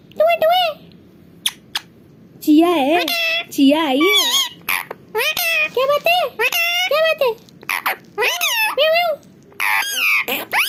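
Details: Pet parrot perched on the frame of its mirror, excited at its own reflection, chattering the words it knows indoors: a rapid run of high, wavy, nasal speech-like phrases with sharp clicks between, in short bursts separated by brief pauses.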